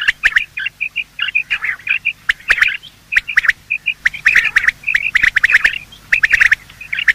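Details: Morning calls of male and female quail, sounds used to lure quail for hunting: busy chattering of short chirps and squawky notes, with sharp clicks scattered throughout and brief pauses between bursts.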